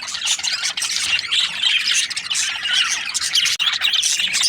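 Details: Budgerigar flock in breeding season, many birds giving busy high-pitched chirps and grating squawks over one another, the chatter briefly cut near three and a half seconds.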